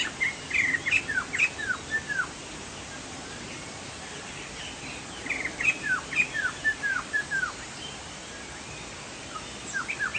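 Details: Chinese hwamei, locally called poksay jambul sumatra, singing actively: short bursts of clear whistled, downslurred notes in quick runs, a phrase at the start, another mid-clip and a brief one at the end, with quiet hiss and faint insect-like background between.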